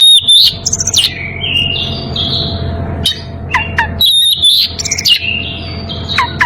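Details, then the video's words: Oriental magpie-robin in breeding condition calling a rival: loud clear whistles around a steady high note, sliding rising and falling phrases, sharp high squeaky accents and short pauses, over a constant low hum. "Kacer birahi memanggil lawan"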